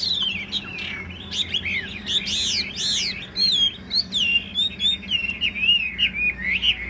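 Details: Tame caged Chinese hwamei delivering loud, varied whistled song. Swooping high notes give way to quick trills and a wavering string of repeated whistles.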